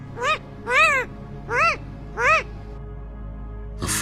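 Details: Long-eared Owl alarm, a sharper call: four nasal, rising-then-falling yelps in quick succession, roughly every seven-tenths of a second, followed by a short noise.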